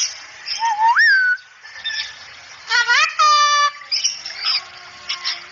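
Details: Masteran recording of a cockatoo talking "assalamualaikum": a rising whistled slur, then a rasping harmonic squawk with a held, steady tail, followed by softer chatter.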